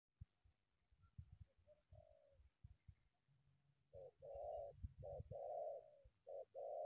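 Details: Wild spotted dove coming out of bushes toward a decoy bird: rustling and thumps at first, then a run of hollow cooing notes, short coos alternating with longer rolling ones.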